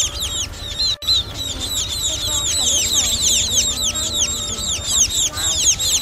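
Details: Juvenile bird calls used as a lure for net trapping: dense rapid stream of high, curved, downslurred chirps repeated several times per second throughout, with a faint steady hum beneath.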